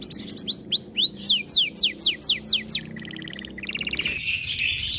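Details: Canary in breeding condition, made aggressive by other birds' song: rapid chips, a string of looping downward-sweeping whistles about four per second, then buzzy trills.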